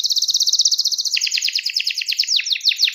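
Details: Canary in full song, calling a rival: a fast run of bright, high repeated notes for about a second, then a quicker trill of sweeping downward chirps, all clean with no other sounds.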